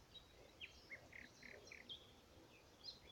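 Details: Melodious warbler recorded on 17 April 2017, giving a quiet series of short, varied chirping notes, some slurred and some buzzy, spaced irregularly over a few seconds against a steady hiss of background noise.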